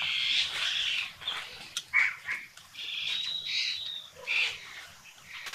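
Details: Red-billed blue magpie (Urocissa erythroryncha) in Sattal, Uttarakhand, India: harsh, rasping chatters and short squeaky notes, broken by a drawn-out high whistle, in an irregular, loose sequence.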